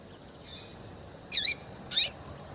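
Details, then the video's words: Female double-collared seedeater calling, a call used to excite and stir up males for seedeater tournaments: one faint note, then two loud, short, high chirps about half a second apart over a steady background hiss. "Melhor Piado de fêmea de Papa capim para Esquentar e foguear Papa capim"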